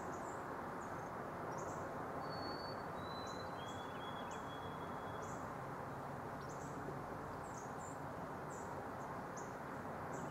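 A White-throated Sparrow gives a faint song of a few pure, drawn-out whistles stepping downward, over steady low rumbling noise and high chirps from other birds.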